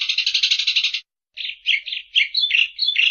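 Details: Eurasian tree sparrow chattering: a dense, buzzy rattle of rapid notes for about a second, a short pause, then a run of separate harsh chirps with little background noise.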